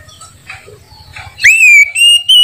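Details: Oriental magpie-robin, a loud and clear singer: after quiet low rumbling, one bright whistle sweeps up and holds steady and pure, then breaks and resumes slightly higher.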